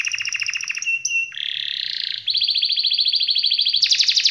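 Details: Belgian canary (Serinus canaria domestica), song.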